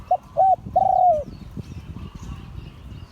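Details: Spotted dove cooing: two short mellow hooting notes followed by a longer, slightly falling coo, then background rumble and faint distant sounds.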